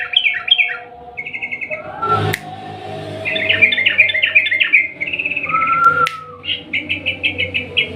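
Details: Sooty-headed bulbul song meant to coax a silent bird into singing, long rolling style; quick trilled bursts and descending chirp runs, a clatter midway, a pure whistle, then evenly spaced bright notes.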